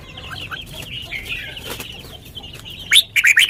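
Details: Sweet lak wai-style song of a caged red-whiskered bulbul: a sudden loud run of bright, upslurred whistled notes at the close, following a steady background of chattering bulbuls.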